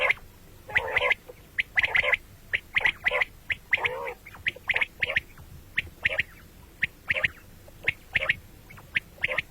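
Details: Common quail, calling morning and night: dense series of clicking pips and short nasal bursts, irregularly repeated, with a slight background hiss.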